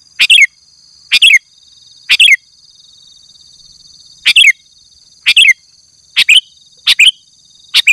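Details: Male sooty-headed bulbul calling a rival during the afternoon: isolated, emphatic double chirps, bright and clipped, spaced about a second apart with a longer silent gap midway, a faint high whine behind.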